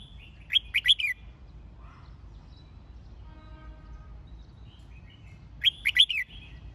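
A red-whiskered bulbul gives two bright, warbled phrases of quick, rising-and-falling notes about five seconds apart; a faint low hum runs underneath.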